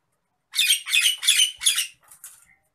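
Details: Agitated Nias hill myna kept as a cage bird: four loud, rasping squawks in quick succession, each about a third of a second, followed by two fainter trailing notes, in a quiet setting.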